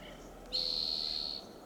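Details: Red-tailed hawk perched high in Del Monte Forest, California, after feeding on a fox squirrel: a single piercing, steady-pitched scream with an abrupt start, lasting just under a second.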